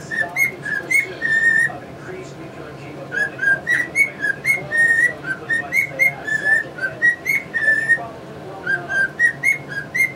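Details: Caged-bird scene: a male cockatiel whistles one of his learned tunes, either Yankee Doodle Dandy or the Mexican Hat Dance, as a long run of clear notes against chattering English budgies.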